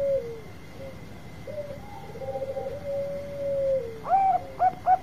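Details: Zebra dove of the Bangkok type singing its long provoking song: soft trilled cooing phrases running on for several seconds, ending in three loud hooked coo notes, with a steady faint high hum throughout.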